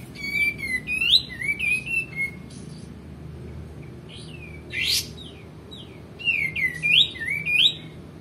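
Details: Singing male white-eared bulbul for tutoring other cage birds: bursts of warbled, swooping whistled notes with rattling harmonics, a pause with faint notes and a harsh noisy burst, then more rising-falling whistles.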